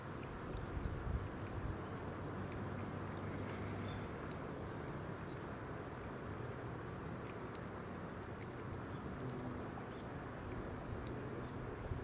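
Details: Female Daurian redstart giving ground calls (jinaki) at Gongenyama Bird Sanctuary, Japan, on 26 November 2017: short, thin, high 'hit' notes repeated irregularly, about ten across the clip, with sporadic clicks and a low background hum.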